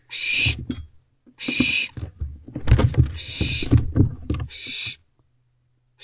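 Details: During a small kerfuffle over a mouse, barn owls in a nest box give four loud, breathy screeches. Continuous rustling, scraping and bumping runs between the screeches, recorded 14 June 2023 at 4:20 am.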